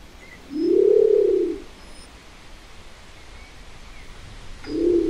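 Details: One full low, arched humming call from a Nicobar pigeon lasting over a second, then a quiet gap and the start of the next moan about four seconds later.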